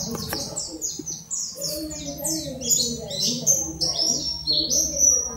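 An oriental white-eye sings a rapid, high twittering run of thin sweeping whistles, about two notes a second, over a faint low murmur in the background.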